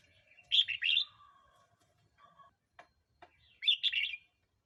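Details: Red-whiskered bulbul song, used to provoke new or old wild birds or to teach young birds: two bright, bubbly warbled phrases a few seconds apart, with faint lower notes and soft clicks between them.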